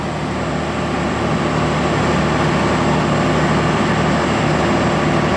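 Steady, loud rumbling of a heavy engine or vehicle with a low hum throughout; no animal voice stands out.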